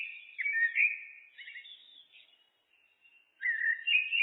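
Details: Common blackbird (Turdus merula) delivering a long, flowing warble of mellow whistles with slurred rises and falls. It fades into a thin high trill, pauses briefly, then resumes with a bright whistled phrase.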